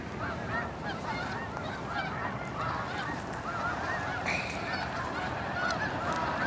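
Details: Massed honking of Snow Geese during an early blast-off at Hagerman NWR, countless overlapping nasal barks in a continuous chorus, with brief bursts of rushing noise from the flock.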